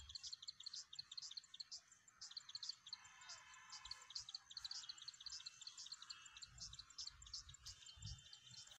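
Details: Calls of a plain wren-warbler recorded on 23 September in Magadi, India: a fast stream of high, piercing chips, joined briefly by a lower buzzy rattle, with occasional soft low thumps in the background.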